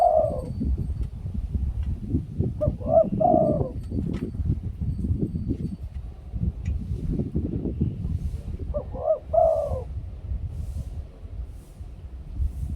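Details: Spotted dove from Thailand, a decoy bird, giving its '2 kuk ku-ang' song style. Three short bursts of low, throaty cooing come near the start, at about three seconds and at about nine seconds, over steady rumbling wind and rustling.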